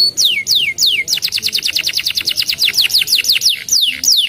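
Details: Canary singing: a few separate high whistles that swoop steeply downward, then a fast rolling trill of short repeated descending notes, ending with more looping swoops, with a quiet background.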